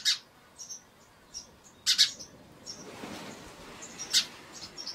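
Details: Chirps from a house sparrow: short sharp notes come in scattered clusters, a strong double burst near the middle and another toward the end, with fainter high twitters between them over a soft background hiss.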